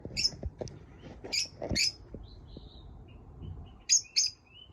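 Pet lovebirds give sharp, scratchy high chirps in short bursts about a second apart, with quieter peeps between and faint low knocks in the room.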